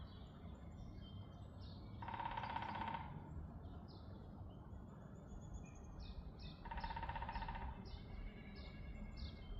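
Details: Woodpecker in Chicago in early spring: two rapid, even drum rolls, each about a second long, several seconds apart, with small birds chirping and twittering high throughout and a faint distant traffic rumble.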